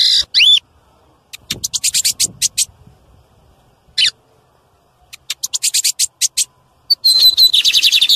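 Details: Loud song of a male lined seedeater, meant to stimulate other birds: bursts of fast, high buzzy notes separated by silent gaps, ending in a sustained rapid trill with a steady whistled tone.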